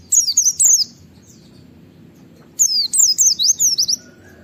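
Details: White-eye in the wild giving its provoking 'wit wit' call: two bursts of quick, very high whistled notes, each dropping in pitch, separated by about two seconds of quiet with low hum.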